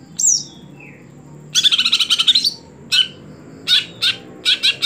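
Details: Greater green leafbird kept caged for song contests gives one sharp whistle, then a long rapid rattling trill of about a dozen pulses followed by short harsh buzzy notes in quick pairs.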